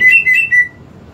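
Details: Greater green leafbird song meant to stir a quiet leafbird into singing: three short, clear whistles in quick succession, the last slightly lower and trailing off.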